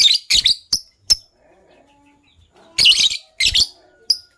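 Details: Sky Blue Opaline and Green Opaline lovebirds in the morning give a string of short, harsh, high squawks: four rapid chirps, a quiet gap of over a second, then three more strident bursts.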